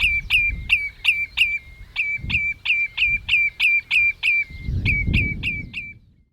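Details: Common Redshank (Tringa totanus) calling at Ochsenmoor, Hüde, at 07:10 on 27 May 2018, recorded with a Panasonic Lumix GH5: a rapid run of clear, down-slurred piping notes, about three per second, briefly pausing near the end, over low rumbling background noise.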